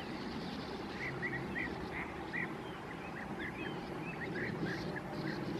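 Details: Short rasping chirps repeated in loose series from sand martins at their Bečva river breeding colony in the Czech Republic, recorded 3 June 2018, over a steady rush of background noise.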